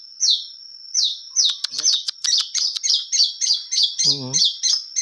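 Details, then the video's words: Long-tailed shrike singing a full, clear repertoire: drawn-out high slurred notes, then sharp clicks and rapid scratchy chattering phrases repeated steadily, with a brief low human voice near the end. "cendet gacor full materi suara jernih"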